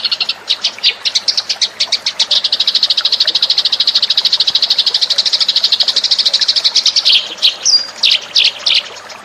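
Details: Eurasian tree sparrow lure call: a fast run of sharp, high chirps at roughly three per second that swells into a dense, steady chatter and then breaks into looser, separate chirps.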